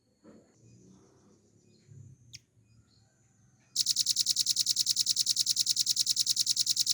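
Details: Velvet-fronted nuthatch kept as a cage bird, performing its long ngebren rattle: faint rustling and low murmurs, then an abrupt, loud, very high, evenly pulsed trill of rapid identical notes running to the end.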